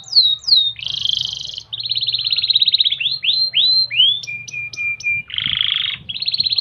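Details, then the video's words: Domestic canary singing a 'gobat gabet' style tutor song, played daily so birds sing keenly: descending whistled slurs, a buzzy trill, rolling trills, a run of rising sweeps, high clipped notes over a steady tone, then a harsh buzzy rattle. "MASTERAN KENARI MEWAH GAYA GOBAT GABET"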